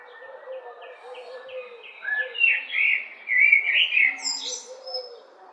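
A common blackbird sings rich, warbling phrases that rise into higher twittering notes, over a soft background of other distant chirps.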